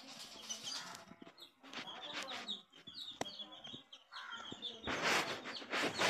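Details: Coloured baby chicks peeping: short high upswept cheeps repeated about once a second, interrupted by broadband rustling and scuffing bursts toward the end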